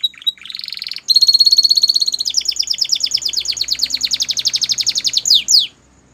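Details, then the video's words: Belgian canary in song, opening with a buzzy rolling phrase, then a long fast ringing trill of repeated notes, closing with two quick downward sweeps. "Melodies Canary Bird Song | Belgian Canary Singing"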